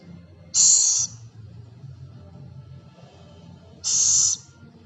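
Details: Two high, rasping hiss bursts from a scops owl (celepuk), each about half a second, the second coming roughly three seconds after the first.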